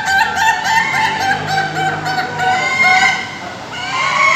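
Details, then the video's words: Indonesian Ayam Ketawa cocks crowing together at a training gathering in Bogor; quick, stuttering series of clipped harmonic notes like laughter, repeated steadily, with further crows overlapping near the end. "latber ayam ketawa"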